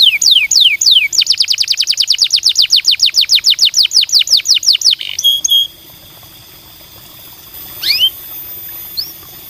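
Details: Canary singing to prompt other canaries to sing: a long run of repeated descending sweeps speeding into a fast trill, then a few clear whistled notes and a faint rising call.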